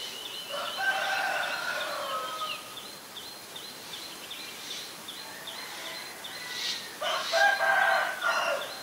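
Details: Black-collared starling in Ubon Ratchathani, Thailand, 17 April 2022, giving two bouts of grating, harmonic chatter separated by a few seconds of quiet, while a fast series of high chirps from another bird runs through the background.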